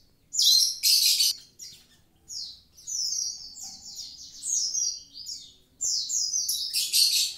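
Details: Active, vigorous Javan pied starling song: loud harsh rasping bursts alternating with quick high whistled phrases and chattering notes, delivered in tight energetic runs.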